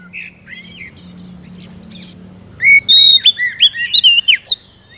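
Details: Oriental magpie-robin, kept caged, sings to spur another captive bird into song: faint scratchy notes, then a loud burst of sharp whistled, rising and falling phrases after three seconds.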